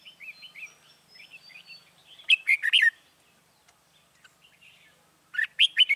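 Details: Red-whiskered bulbul singing as a trapping decoy to draw in wild birds, 21 January 2018: soft repeated whistled notes, then two loud bursts of rich, tumbling warbles.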